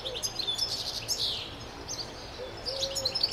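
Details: European goldfinch song: quick bursts of high twittering notes and buzzy slurs, pausing briefly mid-phrase before resuming, over a soft low background hum.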